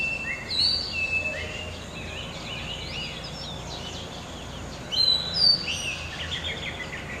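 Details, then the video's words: Oriental magpie-robin, a common garden bird of open country in Malaysia, singing clear whistled phrases in short bursts with pauses between them, over steady background noise. "Singing Bird (Magpie Robin）シキチョウの鳴き声"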